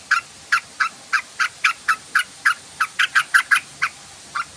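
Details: Trucukan, the yellow-vented bulbul, in lure calls played to start its song: a steady series of short, sharp chuck-like notes, mostly single and some in quick pairs, spaced roughly a third of a second apart.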